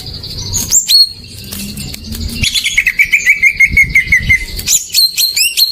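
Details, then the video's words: Lure song of a greater green leafbird meant to prompt non-singing birds: high sharp whistles open, then a fast rippling trill of repeated notes, ending in crisp clipped high chirps. "Pancingan burung cucak ijo macet"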